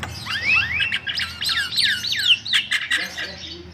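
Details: Lively song of the white-vented myna, played to draw other birds into singing. Rising and falling slurred whistles come in quick succession over a steady background hum.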